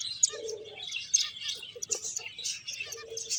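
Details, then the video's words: Several finches chirping while playing and eating: busy high tweets and short buzzy notes overlap, with a few lower, softer warbling notes at the start and end. "Cute Birds Chirping Sounds | Beautiful Finches Playing and Eating"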